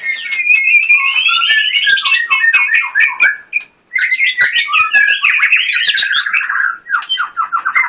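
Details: Contest white-rumped shama pouring out a long, loud run of fast whistles and trills, with one short pause midway and then a brilliant scratchy burst of 'tembakan' notes.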